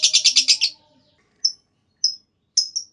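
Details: Lovebird giving a clear lure call meant to make other lovebirds join with long trills: a short rapid buzzy trill of about six pulses, then three sharp high chirps spaced half a second apart.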